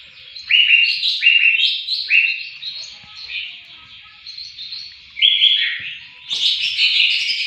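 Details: Greater green leafbird song used as a model for training songbirds: loud, varied whistled phrases, several rising and falling notes repeated in quick series, ending in bright buzzy high chatter.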